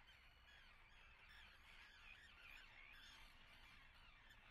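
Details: Common terns nesting at Atlit on 10 June 2010. A steady chorus of harsh, overlapping calls from many birds, with a few short rising notes standing out over the dense colony noise.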